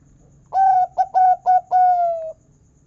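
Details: Local zebra dove with a big 'kung' voice, used as a lure to get other zebra doves singing: a clear mellow coo, three short clipped notes, then a long falling final coo, over a faint low hum.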